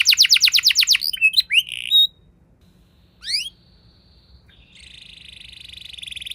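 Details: Canary lure song: a short fast trill opening, then scattered rising chirps and swooping notes, a pause, and a quiet steady buzzy trill building toward the end.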